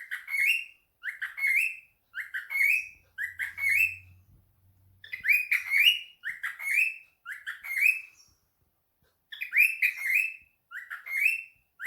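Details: Pet cockatiel calling while answering a phone call: bright rising chirps in clusters of two or three, repeated with short pauses over about twelve seconds, and a faint low hum in the background for a moment.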